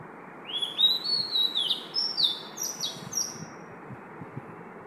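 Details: At 5 am an Oriental magpie-robin sings one continuous three-second phrase of clear whistled notes, rising, falling and stepping between pitches, before falling quiet against faint background noise.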